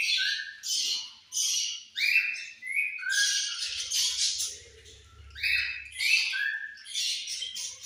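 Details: Several budgies chirping during feeding time, mixing scratchy warbles with many short clear whistled notes repeated throughout, and a low hum in the background partway through.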